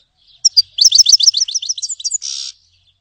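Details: Grey-headed goldfinch (Carduelis caniceps) singing: a fast run of about a dozen high, paired twittering notes, ending in a short buzzy burst. The background is quiet.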